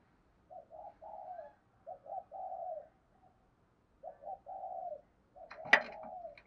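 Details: Spotted dove, used as lure and training audio for birds, giving two quiet series of hollow coos about three seconds apart, each a few short notes then a drawn-out falling coo; a sharp click near the end.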